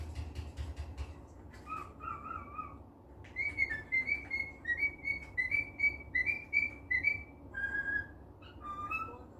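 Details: Cheerful pet cockatiel whistling indoors: a few clicks, then a run of clear whistled notes bouncing between two pitches, repeated quickly and unevenly, with soft tapping sounds in the room.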